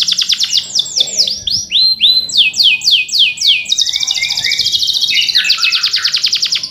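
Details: Male canary 'ngerol cuit cuit' song, used to coax young or silent canaries into singing: bright down-slurred whistles repeated several times a second, shifting between pitches, then a dense buzzy high roll.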